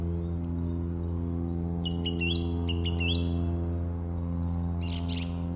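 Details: March 2018 song thrush song: a run of bright notes repeated in quick succession, each phrase echoed several times, then a higher fluting note, all over a loud, steady low hum.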